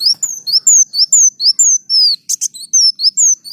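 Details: Sunbird in full song as master material for training other birds: a continuous chain of loud, high slurred whistles, many sweeping down in pitch, about two a second, with one brief buzzy burst midway.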